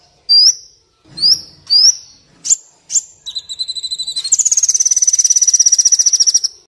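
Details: Kolibri Wulung sunbird, used as a training and luring recording; sharp high upslurred whistles repeated about every half second, then a long loud rapid trill on a steady high pitch.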